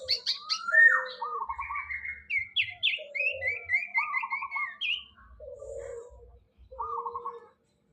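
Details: Common iora practising its song, a rambling mix of clear whistles, fast trilled phrases and short rising notes that run on almost without a break, with softer warbled notes near the end.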